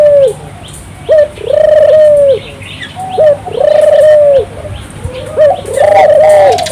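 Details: Cooing of a turtle dove in lively song, used to stir local doves into singing: a brief upswept note leads into a drawn-out wavering coo, the pair repeated three times at a slow, steady pace.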